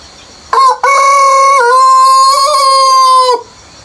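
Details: Rooster crowing in the countryside early in the morning before sunrise: one loud, close, drawn-out cock-a-doodle-doo. A short sharp opening note, a brief break, then a long sustained, slightly wavering cry of about two and a half seconds. A soft insect drone sits behind it.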